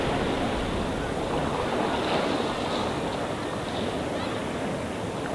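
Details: Calm sea waves wash steadily onto the shore in an unbroken hiss, with light wind on the microphone and no animal calls.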